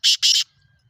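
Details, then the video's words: Black francolin (kala teetar) calling: two loud, harsh, grating notes in quick succession, the second slightly longer, then silence. "Kala teetar Ki Awaz black frencolen voice"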